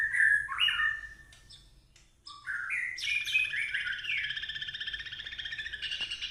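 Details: White-rumped shama song: loud varied whistles at first, a short pause, then a long fast warbling trill that rises and holds high, ending in a burst of bright notes.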